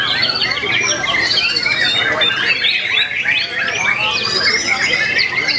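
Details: White-rumped shama (murai batu) singing in the main class of a songbird contest on 9 February 2020, Indonesia; loud continuous varied song of rapid whistled slurs, trills and sharp chirps, with other birds and faint crowd noise behind.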